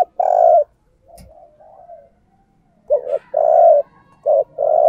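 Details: Spotted dove used as a decoy to call in wild doves, giving loud, husky coos in short phrases: a long note, a pause with soft murmurs and a click, then a burst of short-long-short-long coos.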